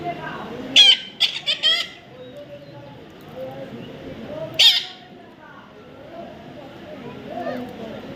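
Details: Baby Indian ringneck parrot giving short harsh, buzzy bursts of calls, a cluster near the start and another single burst midway, with quieter soft chatter and faint speech in between.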